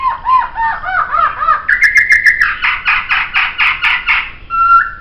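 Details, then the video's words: Master recording of Poksay laughingthrush song: a run of quick looping whistles, a short flat buzzy note, a series of harsh rhythmic squawky chatters repeated about three times a second, and a closing plain whistle. "Masteran Suara Poksay"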